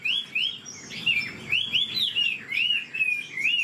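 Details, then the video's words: Caged Chinese hwamei, an old wild-caught bird said to have a fast delivery, singing a series of clear upslurred whistles, each about half a second apart, with slight variations and a few overlapping squeaky notes. "Họa mi già rừng chất giọng cực hay. tốc độ mỏ nhanh"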